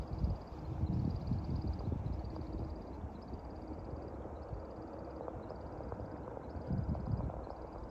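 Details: In spring around dusk an American woodcock flies its display circuit; regular short bursts of high wing twittering recur about every second, while low rumbling noise fills the background.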